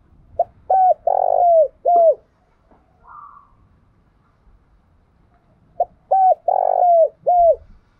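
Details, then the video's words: Captive tame decoy spotted dove calling to provoke and lure wild doves. It repeats a four-part phrase twice: brief hollow notes, a long throaty coo with a falling tail, then a final gliding coo. A soft faint sound is heard in between. "Tiếng Chim Cu Mồi Thuần Thúc Và Gáy Gọi Hơi Bị Căng Nhá"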